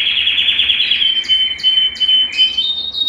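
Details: Belgian canary song used to warm up males and bring females into breeding condition: a quick buzzy trill rolls into a long, steady high whistle, crossed by short upward chips about every half second.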